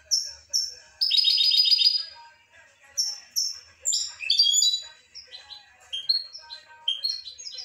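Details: A European goldfinch sings a buzzy, rattling trill followed by a lively string of high, tinkling chirps and twittered notes.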